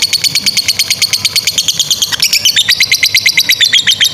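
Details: Long ngekek trill from a lovebird, offered as a training model for young or stalled birds: a dense, rapid stream of shrill, clipped chirps, several each second, that wavers in pitch without pausing.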